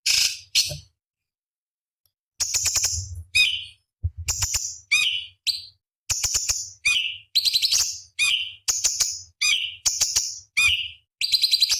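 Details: Cucak cungkok master recording for training competition songbirds. Sharp, shrill chirps and buzzy high notes repeat rapidly, almost every half second, in dense bursts after an opening pair of calls and a silent gap, with faint low thumping underneath.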